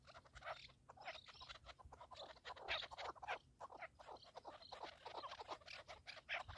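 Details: Partridge, keklik in Turkish, giving a dense run of short harsh clucking notes, several overlapping, with brighter bursts near the middle; the whole passage is fairly quiet and rough.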